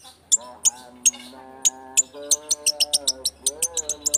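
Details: Shrike lure song meant to provoke singing: crisp high clicks and chirps, sparse at first then quickening, set against sustained stepped lower tones that change pitch every second or so.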